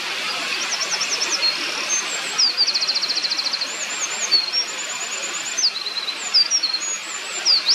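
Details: Eurasian wren (Troglodytes troglodytes) by a mountain stream in Japan, 2024, heard but hidden, pouring out a loud, high, fast song of sharp notes and rattling trills, barely pausing, over the steady rush of the stream.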